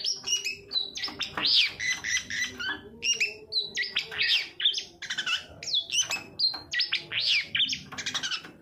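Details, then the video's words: Long-tailed shrike song played as a lure to get silent or lazy shrikes singing: dense bursts of high, harsh chattering notes and rising whistled slurs, loud and nearly continuous, with faint low hum beneath. "suara panncingan cendet agar bunyi dan gacor"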